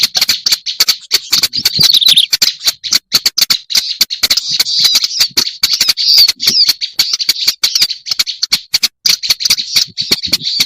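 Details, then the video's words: Lure recording with a black-browed reed warbler's steady, scratchy, buzzing chatter running for about ten seconds, densely peppered with rapid clicking ticks and almost no pauses. "Suara pikat burung kerak basi alis hitam"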